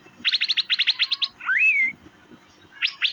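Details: Asian fairy-bluebird chirping: a fast run of about a dozen sharp, bright chirps, then one liquid whistled note sliding upward and levelling off, and finally two more sharp chirps.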